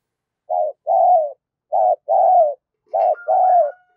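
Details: Spotted dove decoy bird giving energetic driving coos, three phrases, each a short low hoarse note followed by a longer drawn-out coo, separated by brief pauses, in a quiet setting.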